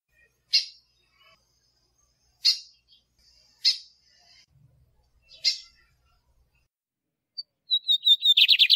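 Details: Female Lined seedeater calls, four sharp high chips spaced one to two seconds apart, then a male begins his song with a whistled lead-in and fast buzzy trill; caged birds, recorded for stimulating and training.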